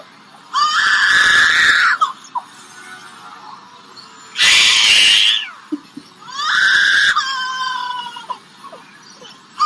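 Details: A captive superb lyrebird at a zoo mimics a crying baby: three strained, wavering wails about a second and a half each, dropping away at the end, with quiet gaps between.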